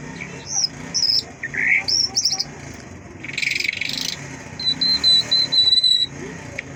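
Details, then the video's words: ['Mashhadi lark giving a few high whistled slurs, then a buzzy burst. A quick run of even, repeated ticking notes follows.'] "Mashhadi lark singing مشہدی جل"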